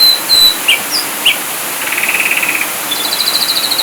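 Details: Ashy drongo song with mixed elements: short level whistles and squeaky blips, then a soft rasping trill and a brighter, faster pulsed trill at the close.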